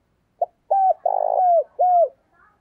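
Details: Single cooing phrase from a decoy spotted dove used to attract wild birds. A quick low pip is followed by three round, mellow coos, the middle one longest with a pulsing, buzzy texture, and a faint trailing note at the end.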